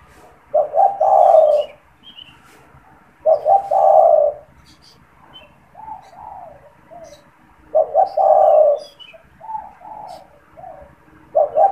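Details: Spotted dove kept in a cage, calling constantly and used to lure wild doves: loud stuttered coo phrases repeated every four seconds or so, softer mellow coos between them, and faint high twittering from other birds.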